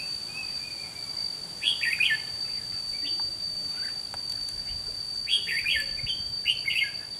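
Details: Decoy red-whiskered bulbul at a trap site delivers bursts of lively, liquid chattering phrases, a thin drawn-out whistle near the start, and a run of three fast phrases near the end, over a continuous high whine.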